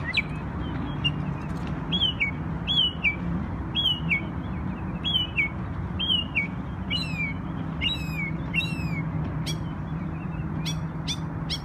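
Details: A New York bird singing on Memorial Day: a long string of clear whistled notes that rise then drop sharply, given about twice a second, ending with a few crisp high clicks, over low background hum.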